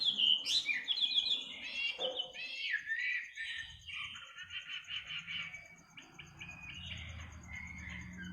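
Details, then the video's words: Midnight bird song, a fast jumble of buzzy sweeps and chattering whistled notes, quickening then tapering, with a low background hum and a constant high pulsed insect trill. "kicau burung di tengah malam"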